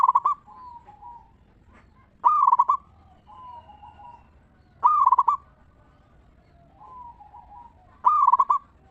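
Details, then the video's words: Ngeristal-style song of a local zebra dove, used as a lure so other zebra doves answer. Bursts of fast, bubbling, pulsed coos recur about every three seconds, with soft wavering coos filling the gaps. "Perkutut Lokal Gacor RAJA PIKAT Suara Ngeristal Paling Ampuh Bikin Semua Perkutut Nyaut Gacor"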